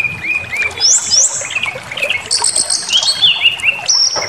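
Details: White-rumped shama provoked to aggression, singing its full repertoire. Loud, varied song of clear whistles, sharp upward-sweeping notes and high trills, changing pitch constantly in quick phrases, with faint rustling in the background.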